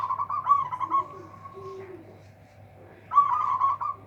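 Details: Loud local zebra dove said to silence rivals, delivering a long rolling, trilled coo that tails off, then after a pause another bubbling phrase, with a faint lower note between them.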